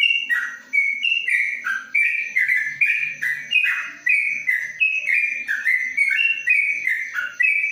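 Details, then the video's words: In the long ropelan style, a caged yellow-vented bulbul under a cage cover pours out a steady stream of mellow whistles, each note sliding between two pitches, against a faint continuous high hum. "Trucuk Ropelan Panjang dalam krojong"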